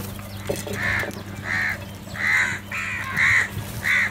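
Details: Crows squabbling over food: six loud, harsh caws spaced roughly every half second to second, each a short nasal blast, with a constant low mechanical hum underneath.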